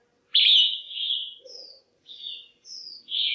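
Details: Female red-whiskered bulbul in a cage, calling to rouse males or to find a mate: a strong, drawn-out whistle that fades, followed by several shorter, high, clear chirps.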